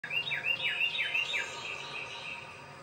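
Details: Wren singing while feeding at a backyard bird sanctuary in Macon-Bibb County, Georgia: a quick series of bright, down-slurred whistled notes, about five in the first second and a half, then softer trailing notes over faint outdoor hum.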